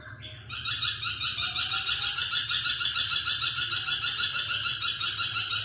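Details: Budgerigar singing actively, kept as a tutor recording for training magpie robins: dense, buzzy, harsh chattering pulses repeated about three times a second, steady and loud throughout after a quiet start.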